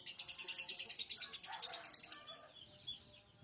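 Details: Lovebird giving a loud, rapid, high-pitched pulsed trill that fades after two seconds into softer chatter, with a last sharp note.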